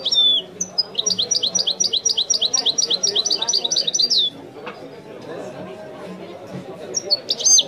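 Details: European goldfinch singing in the authentic Wiidani style: a rapid run of bright, repeated rising-falling twittered notes for about three seconds, then a quiet gap and a short burst of sharp high chirps at the end.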